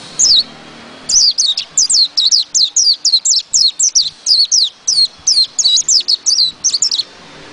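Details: White-eye singing in the ngerol ngalas style: after a single opening note, a fast unbroken run of high, thin, downward-slurred whistled notes, about two to three per second, continuing steadily to the end.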